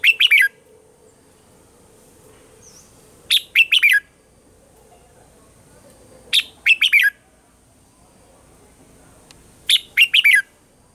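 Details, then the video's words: Caged red-whiskered bulbul singing its morning song in a mature wild-style voice, a training recording: four bursts of clipped, bright chirpy phrases about three seconds apart, with a faint hum between them. "Luyện giọng cho chào mào hót sáng, chào mào hót giọng già rừng hay tuyệt"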